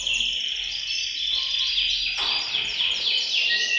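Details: Indoor bird room with several canaries singing at once to encourage breeding: bright, rapid trills overlap continuously, with a sharp burst of descending notes partway through and steady volume.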